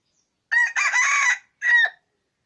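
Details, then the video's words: Crow of a yellow-and-white wild junglefowl cock used as a decoy: a short harsh opening note, a long rasping sustained middle and a separate clipped final note, all loud against silence. "qaib qus daj dawb"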